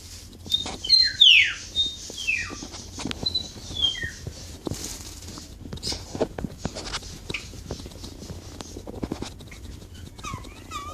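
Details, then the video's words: Pet bulbul calling in response to a person singing to it, recorded on a Samsung Galaxy Note II phone: a burst of short, clear, sharply falling whistled notes over the first four seconds, then quieter soft clicks and a final looping whistle. "My Pet BulBul Bird Make a Voices"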